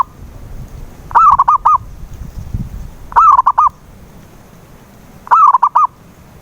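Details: Cooing zebra dove used to lure a mute dove into song: three phrases about two seconds apart, each opening with a warbled, falling coo and ending in three brief, evenly spaced coos; low rumbling background.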